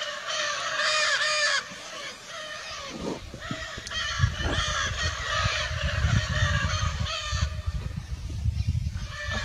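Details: Wild Lear's macaws flying free in Brazil utter loud, grating, croaky screeches, first as a long burst, then as a run of overlapping calls. Strong low-pitched rumble and thumps throughout.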